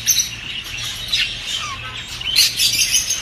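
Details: Budgerigars singing to stimulate females to mate quickly; dense, busy high warbling and chirps with short rising and falling whistled notes and scratchy buzzes, several birds overlapping throughout.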